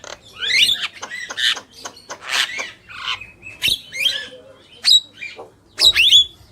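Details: Javan myna, male and female together, giving loud harsh squawking notes about once a second, some with sharp upward whistled inflections, over a quiet background.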